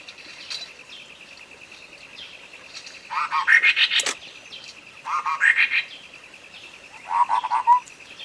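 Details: Sooty-headed bulbul on a clear tutor recording used to prompt a bird that has stopped singing: three brief chattering, warbled phrases spaced about two seconds apart, with a constant pulsing whine behind them.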